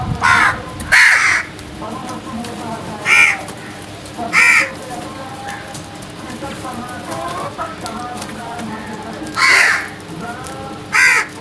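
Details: Crows calling loudly in the early morning: six harsh, raspy caws, each short and separated by pauses of one to five seconds, over a steady low hum and faint background noise.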